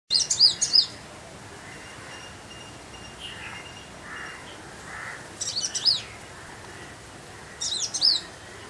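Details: A female purple-rumped sunbird (Leptocoma zeylonica) gives three brief bursts of high, sharp twittering chips, each under a second and a few seconds apart, with faint softer bird notes between.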